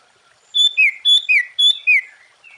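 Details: Sooty-headed bulbul song used to make other bulbuls respond: three paired phrases, each a clear level whistle followed by a lower falling slurred note, evenly spaced and loud.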